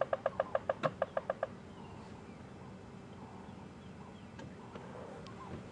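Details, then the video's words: Woodpecker giving a territorial rap on a hollow piece of wood during a morning safari drive at Djuma and Arathusa game reserves: a fast burst of about ten sharp knocks in under two seconds, then quiet bush ambience. "is the territorial rap of a woodpecker. That's not a woodpecker pecking at wood to find an insect."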